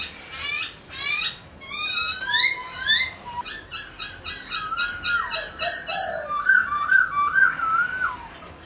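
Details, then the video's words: White-browed laughingthrush singing, meant to encourage pet birds to sing: a burst of harsh squeaky rising notes, then a quick chattering series and looping whistled notes toward the end. "khướu múa hót bạc má"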